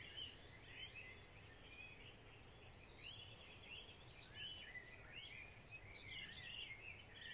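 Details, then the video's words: Spring morning chorus of many birds, with bright whistled notes, quick chirps and slurred twittering phrases overlapping continuously for several seconds. A faint constant low hum sits underneath. "Birds song in a spring morning"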